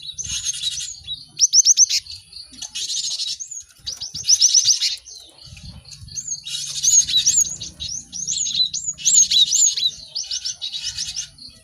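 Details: Cinereous tit song meant to tutor birds to sing fast: repeated harsh buzzing bursts interspersed with quick trills of high notes and bright upslurred whistles, with faint low rumbling beneath.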